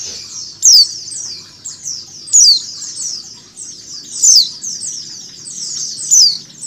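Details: A female white-eye calls with thin, high, falling notes about every two seconds, combined with high twittering from a flock, meant to get white-eyes singing.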